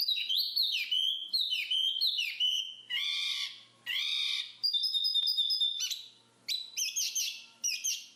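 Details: Black-capped babbler delivering a run of sharp, repeated chevron-shaped whistles, then two longer harsh, buzzy notes, then a steady high whistle and rapid stuttering trills.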